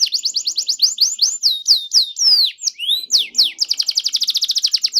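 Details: Canary singing loudly to provoke a quiet canary into singing: rapid repeated chirps, ringing downward-sweeping whistles, then a dense fast trill of even pulses.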